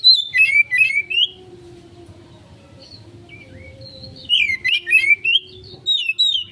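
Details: Oriental magpie-robin singing in the konslet style, used as a lure to draw a quick response: loud whistled phrases rising and falling between mid and high pitch, in two bursts separated by a quiet pause with a faint steady hum.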